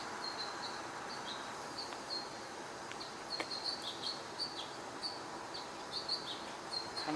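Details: One or two house finches give a run of short, bright chirps, several per second, growing stronger midway, over a steady hiss; possibly an alert sound rather than song, though the observer is unsure.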